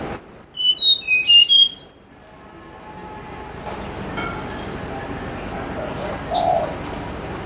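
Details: Snowy-browed flycatcher singing clear, fluted notes in the morning, played as a lure: a quick series of high, thin whistles stepping down and up over about two seconds, followed by quiet background hiss and a faint low note.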